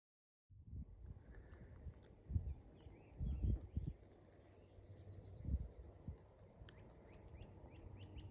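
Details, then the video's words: A Prairie Warbler on the Appalachian Trail between Delaware Water Gap and Brink Road Shelter on 9 May 2023 sings a thin, buzzy series of notes climbing steadily in pitch, over a hiker's heavy footsteps and low rumbling outdoor noise. "Prairie Warbler"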